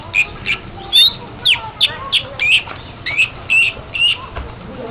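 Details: Long-tailed shrike singing for a tutor recording: loud, varied high notes, mixing short slurred whistles and sharp chips in an uneven, chattering series.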